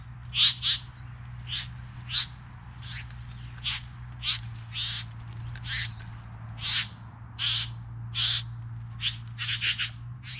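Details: Among three bowerbirds, a long irregular series of about eighteen short, grating rasps, some doubled, sounds loud and close over a steady low hum.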